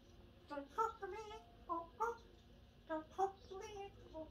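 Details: A 2-year-old African grey parrot sings a Pink song in a human-like voice, giving short tuneful phrases of about eight wavering syllables in bursts over four seconds, ending "talk to me, oh, oh".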